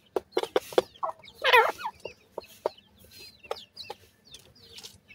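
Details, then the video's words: Feeding teetar chicks give many short, high, downslurred peeps over steady clicking and pecking taps, broken by a loud scratchy burst near the middle. "chicks teetar bird feeding"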